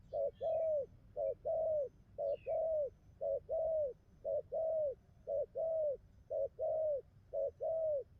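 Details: Young wild-caught spotted dove, newly into song, cooing in a very steady rhythm: about nine even pairs of low coos, each a short note followed by a longer arched one, roughly one pair per second.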